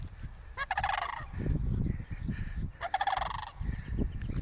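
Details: Cranes near a church, calling as a person approaches them: two loud bursts of harsh, rapidly pulsed rattling calls, each about half a second long and roughly two seconds apart, over low rumbling wind and handling noise.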